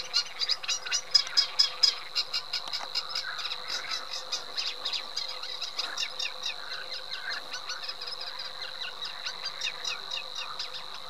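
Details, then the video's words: Eurasian reed warbler song as a long series of quick, regularly repeated clicking and churring notes, several per second, over a thin steady high tone and low background hum. "Cserregő nádiposzáta"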